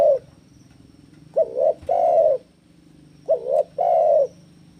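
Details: Breeding spotted dove challenging a rival with lively cooing. After the tail of one coo, two full phrases follow about two seconds apart, each a brief wavering coo then a drawn-out mellow one. A low hum runs underneath.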